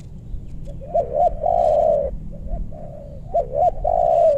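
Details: Spotted dove luring wild birds in West Bogor meranti woodland: paired short hooting coos leading into a long, sustained croo, the phrase given twice in quick succession.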